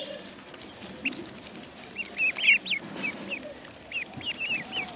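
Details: Duckling in a pond giving sparse, thin peeps, a few isolated notes then a louder cluster midway and scattered calls later, over soft background noise.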